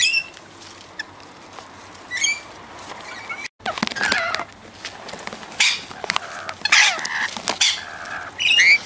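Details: Rainbow lorikeets, wild birds that come regularly to feed on raw sugar, make harsh buzzy screeches and brief shrill whistled squeaks, with clicks and a short break in the middle.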